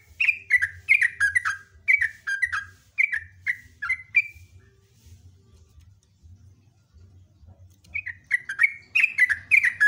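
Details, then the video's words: A sooty-headed bulbul pours out loud, long, bubbly trilling phrases of quick falling chirps, several a second. It pauses briefly, then resumes over a low background hum. "JOGJOG NGEROPEL NGECRUK NEMBAK"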